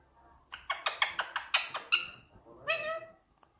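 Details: Pet rose-ringed parakeet talking: a quick string of about eight clipped, speech-like syllables with harsh, nasal tone, then a single longer drawn-out word, in a quiet room.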